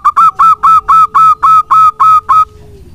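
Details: Energetic song of a local zebra dove used to coax other doves into singing: ten evenly spaced, strong cooing notes at a brisk steady pace, then stopping.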